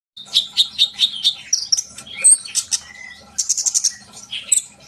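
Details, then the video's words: Sunbird song meant to get young kept birds singing: high, rapid twittering of repeated short chirps, sharp whistled notes and bright trills, about two per second, with brief pauses between bursts. "kolibri bahan pasti yaut dengar suara konin ini gacor?"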